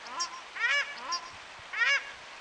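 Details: Loud honking calls of paradise shelducks at New Plymouth, New Zealand, active in the morning. Two strong nasal honks with softer, lower calls between them, against a constant hiss.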